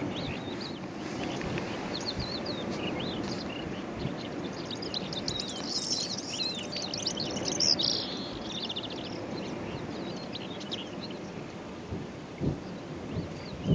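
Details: Calandra lark (Melanocorypha calandra) singing in the Golan Heights, Israel, on 11 April 2011: a long, rambling stream of high chirps, trills and scratchy twitters over a steady rush of wind.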